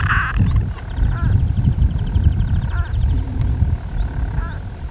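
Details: Storm petrel burrow calls recorded by day on Skokholm, Pembrokeshire, Wales, in June 2013: a churring purr with hiccup notes every one to two seconds, a rapid high trill from another bird early on, and steady wind.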